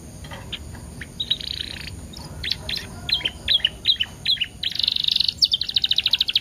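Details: Canary lure song: scattered short chirps and twittering notes building into a fast, rattling trill toward the end, over a faint steady hiss.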